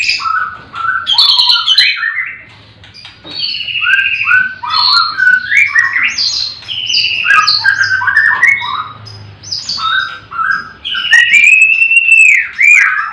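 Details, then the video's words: White-rumped shama singing at a livestock pen in the morning with other birds around: quick, varied whistled and chattering phrases tumble one after another, ending in a long rising and falling whistle. "Pancingan murai batu di kandang ternak ll chirping magpie"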